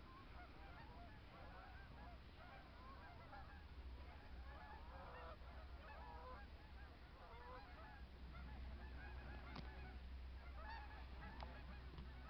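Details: In Michigan, snow geese call constantly from a large flock, a dense overlapping chorus of nasal, yelping honks over a steady low rumble.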